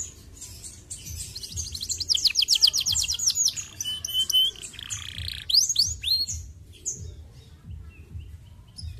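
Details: Canary song to stimulate singing in canaries: short bursts of fast high trills and buzzy phrases separated by gaps, over noticeable low background noise.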